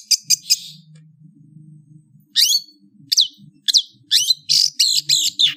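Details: Scattered sharp chips open the phrase, then after a pause a Long-tailed shrike gives sweeping whistled upslurs and scratchy notes over a soft low rumble.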